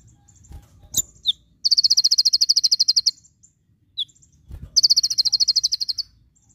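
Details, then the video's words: Javan white-eye giving two high, rapid, even trills of about ten notes a second, each lasting over a second, with a few sharp chips between, full of rapid "shot" bursts, recorded as a tutor song for training other birds. "konin full tembakan"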